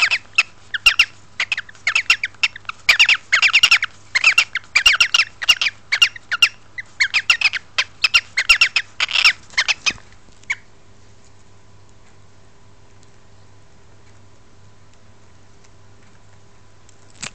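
A cockatiel gives rapid, harsh, scratchy squawks, asking to be stroked, then falls quiet.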